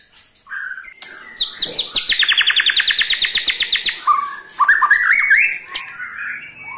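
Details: White-rumped shama ketrekan, meant to set other shamas singing: opening whistles, then a rapid, even rattle of repeated sharp notes for over two seconds, ending in short, higher whistled phrases.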